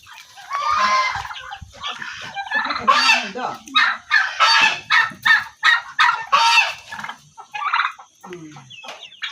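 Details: Turkeys at a village in India, recorded close up: rapid bursts of rough, rattling gobble-like calls, several per second in uneven runs, with a man speaking softly in between.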